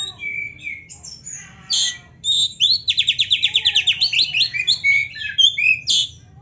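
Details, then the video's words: Oriental magpie-robin, a training recording of rich song: soft scattered whistles, then about a dozen fast repeated buzzy rising notes, closing with clear varied whistles. "KACER GACOR MASTERAN KACER ISIAN MEWAH"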